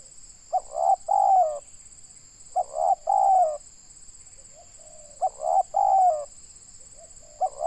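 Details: Spotted dove, a local bird from Indonesia recorded for luring, repeating its cooing phrase three times plus a partial fourth: a clipped opening note followed by two longer throaty coos, with a constant thin high whine behind.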